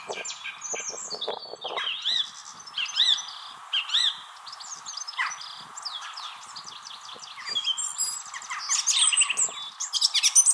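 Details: Song thrush in Wrestlingworth, Bedfordshire, UK, in April 2021, singing from a tree while competing with another nearby thrush. Softer, scattered whistled and chattering phrases with short gaps, rising toward the end, over steady hum.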